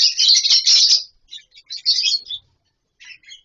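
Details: Lovebirds living in a colony setup in near-natural surroundings; a dense, shrill burst of chatter at the start, then shorter scattered high chirps trailing off.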